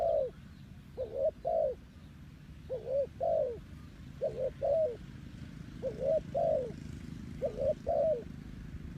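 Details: Spotted dove kept as a decoy for trapping wild doves, repeating paired mellow coos about every one and a half seconds: a short rising hoot followed by a longer sliding-down coo, with a low rumble underneath.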